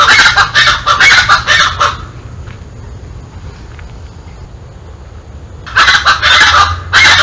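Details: A scaled chachalaca in the Botanical Garden, Porto Alegre, Brazil, January 2023, gives loud, harsh, raucous rhythmic calls in two bursts separated by a few seconds of quiet; a person laughs.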